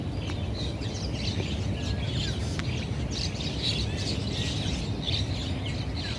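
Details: Monk parakeets at East Coast Park, Singapore, chatter in harsh, squeaky screeches, several overlapping in quick succession, over a steady low rumble of wind or distant traffic.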